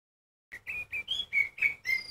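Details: Oriental magpie-robin singing to provoke other magpie-robins into loud song: a quick run of six loud, clear whistled notes around mid-high pitch, each slightly different, with a few sharper upper overtones; nothing else heard.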